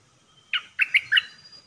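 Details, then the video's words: Red-whiskered bulbul kept caged as a trapping decoy, delivering four quick, clear chirped notes in a brief phrase over a soft background hum. "เสียงต่อนกดอกแตงEp.76นกต่อเจ้าแบงค์(เสียงใหม่ล่าสุด)ดอกล้วนๆ01-09-2021Suara pikat merbah lekir"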